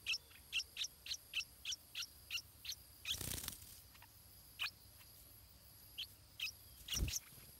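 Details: Stripe-throated bulbul, a songbird of south-eastern Asian tropical forest, at the nest where a chick is fed; a steady run of short high chips about every quarter second, then a broad rustle, a lone chip and two more with a thump.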